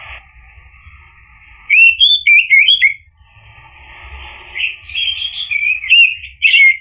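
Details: Orange-headed thrush singing in the ngeplong style, meant to provoke birds that have stopped singing. Quick burst of tumbling whistled notes, a quiet stretch of hiss, then a longer rich warbling phrase ending in sharp notes.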